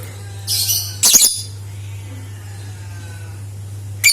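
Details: A lovebird's piercing, scratchy chatter, used to lure other lovebirds into song, comes as two quick harsh bursts near the start and a brief squeak at the end, a constant low hum in the background.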